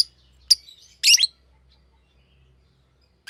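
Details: Green lovebird giving a few scattered, high, harsh chirps, a single sharp note then a short buzzy burst, with long quiet gaps between and a faint low hum.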